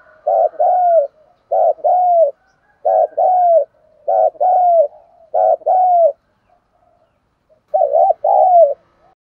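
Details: Spotted dove cooing, played to lure wild birds: loud, low, hollow paired coos, each phrase a quick stutter then a drawn note, repeated about every 1.3 seconds with a short pause near the end.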